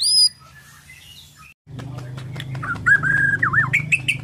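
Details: Morning song of a Borneo white-rumped shama, starting with a high arched note, then after a quiet gap a wavering, slurred whistled phrase over steady background hum.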